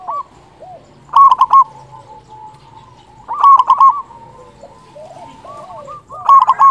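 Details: Local zebra dove with a big voice, played to lure doves and raise their urge to call. Three loud, quick rattling coo bursts about every two and a half seconds, with quieter doves cooing in between.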